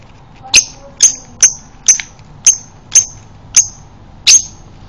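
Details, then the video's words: Male lovebird in breeding condition, recorded as prompting audio to get other lovebirds singing again: eight sharp, shrill, high chirps, evenly spaced about half a second apart, over a quiet background. "pancingan lovebird jantan birahi menuju konslet"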